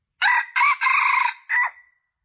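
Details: Male junglefowl crow serving as a lure for attracting males, four rough buzzy syllables in quick succession, a long sustained middle phrase and a clipped falling final note that trails off.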